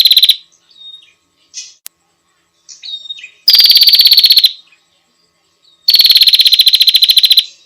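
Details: Female bar-winged prinia delivering two long, harsh, rapid pulsed trills about a second each, preceded by short soft chirps, a sharp click and a brief opening trill fragment.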